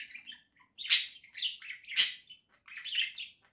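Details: Caged pet budgerigars in a home flock, October 2024, warbling: rapid mix of squeaky whistles and grating clicks, with two loud raspy bursts and quieter chatter between them.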